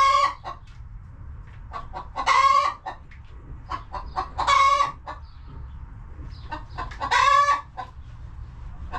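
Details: Coop chickens on a farm homestead: scattered short clucks broken by three loud drawn-out squawking calls about two and a half seconds apart, each harsh and tonal, over a steady low background rumble.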